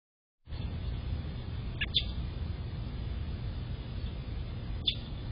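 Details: American robin chirping in the predawn: two sharp, high chirps about three seconds apart over a steady low rumble of background noise.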